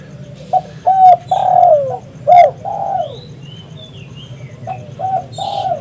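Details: Spotted dove used as a lure call: a series of mellow, low, slightly descending coos, some drawn out, over a faint hum, with high twittering of other small birds in the background.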